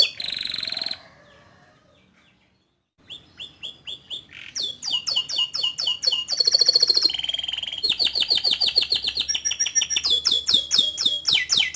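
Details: Canary sings a buzzy burst, falls silent briefly, then builds through quiet chips into a long run of rapid downslurred whistles and rattling rolls.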